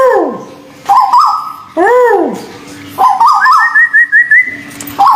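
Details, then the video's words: Local and Malaysian white-billed bulbul in a therapy recording: a falling arched swoop, bright stuttering whistles, another arched ringing note, then rising warbles that lead into a quick series of high, wavy trilled notes. "terapi burung tuwu paruh putih lokal dan malaysia"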